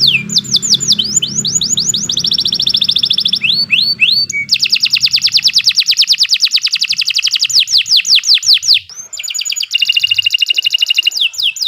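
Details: Long canary song phrase for training birds: quick trills, hooked whistles, then an extended rapid rattling trill of rising notes lasting several seconds, followed by another fast trill and sweeps; faint low hum early on.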